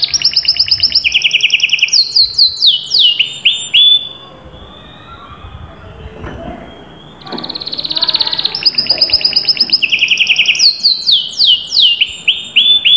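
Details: Canary singing in bursts: high rapid trills and falling slurred notes, a quieter pause of several seconds in the middle, then more rolling trills and descending whistles.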